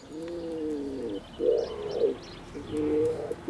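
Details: A male common wood pigeon courts its female, giving deep, hoarse coos in a slow sequence of drawn-out low notes, with faint chirps from small birds behind.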